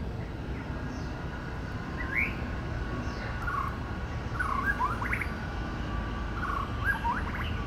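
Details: Woodland song of a male white-rumped shama imitating other birds: scattered clear whistles, upslurred notes and twisting warbles every second or so, with a steady low hum and rumble underneath.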